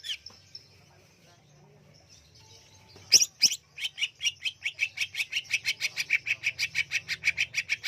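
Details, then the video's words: Greater green leafbird singing inside a cage cover, a fast run of repeated sharp chirps about three per second building after a quiet start, with a low hum underneath. "Burung Cucak Hijau On-fire di dalam kerodong"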